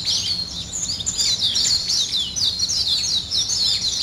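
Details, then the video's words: Birds singing in the morning, a dense run of high twittering notes, about four a second, in fast overlapping warbles with no pauses. "아침을 깨우는 새소리 2 ,Birds wake up in the morning 2"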